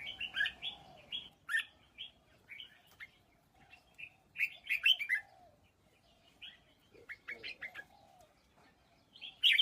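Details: Caged red-whiskered bulbul singing short, bright warbled phrases, spaced with pauses, with some lower fluttery sounds and a sharp note at the end.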